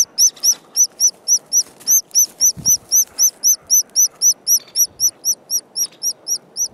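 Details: Nestling white-headed woodpecker at park headquarters, calling while its mother hunts for food; a long, even run of thin, high, downward-curving squeaks, close to four per second, over faint low background noise and a few soft knocks.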